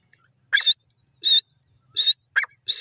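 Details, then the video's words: Loud harsh bursts from a francolin (teetar), four notes in under three seconds, one preceded by a brief lower squeaky note, background otherwise silent. "teetar ki beautiful awaaz"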